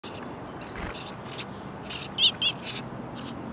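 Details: Baby sparrows in a bird house nest chirping loudly for food while parents bring insects; high, hissing bursts come in an irregular cluster, several overlapping, with faint background rumble.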